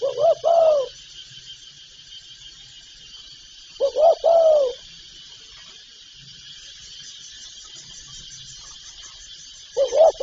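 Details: Spotted dove calling, from a recording presented as its full set of call, urge and coo phrases. Low, soft hooting coos come in short two- or three-part bursts, one burst roughly every four to six seconds, over a steady high hiss.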